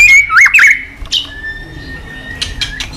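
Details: White-rumped shama song used as a training tutor for young shamas: a loud whistled phrase with warbled dips near the start, a sharp burst, then a long thin steady whistle and a few quieter chirps.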